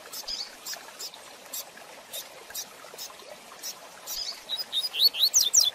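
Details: Rusty-collared seedeater in the fast 'tui tui zel zel de fibra' style, recorded for teaching young birds: soft scattered clicks and chips at first, then a loud burst of high, sharp down-slurred whistles near the end.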